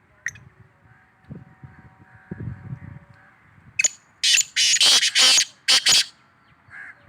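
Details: Kala tetar, the black francolin, calling loudly: a burst of five harsh, scratchy notes packed within two seconds after quieter rustling and low murmurs, then a soft faint note at the end.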